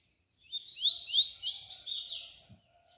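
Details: Double-collared seedeater singing a 'canturia bitola' song of the 'tui tui' type, used as a tutor song to teach young birds. A rapid, dense, high twittering phrase of buzzy slurred notes runs for over two seconds, with a faint low hum beneath.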